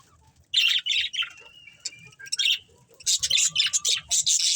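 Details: Budgerigars from a breeding pair give separate bursts of squawky chirps and a thin drawn-out whistle, then a fast run of sharp repeated chirps.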